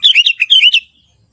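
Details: Young sooty-headed bulbul from the forest giving a rapid, lively run of warbled chirps, notes bouncing up and down in quick succession for under a second before falling silent.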